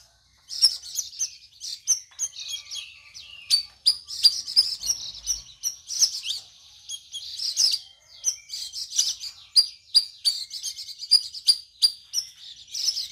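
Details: A captive sooty-headed bulbul on its fourth day of care, in drizzly, overcast weather, sings in reply to a recording: quick, bright chirps and short twittering phrases, high-pitched and near-constant, about three notes a second with brief pauses.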